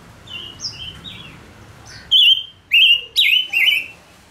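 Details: Decoy male Gouldian finch in song: a few soft whistles lead into four loud, rich, downward-bending whistled notes, each about a third of a second long, given in quick succession.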